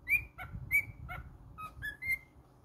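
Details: Short run of cockatiel whistles, a few clear held notes interspersed with lower, falling chirps, against a soft background murmur of the room.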